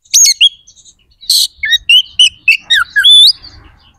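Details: White-rumped shama song meant to provoke aggression and breeding drive in other shamas: a harsh burst followed by a rapid series of varied whistled notes and a long upslurred whistle.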